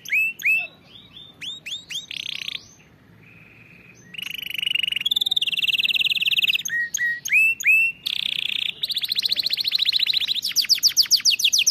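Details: A canary tutor song for training canaries to sing: sets of repeated rising whistled notes, a low buzzy interlude, then long rolling trills and rapid tours that speed up toward the end.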